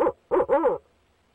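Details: Male barred owl at a nest box calling to his mate, spring, 29 April 2019: a short clipped hoot followed by two quick, deeper hoots, the last slurred and falling, all within under a second, then quiet.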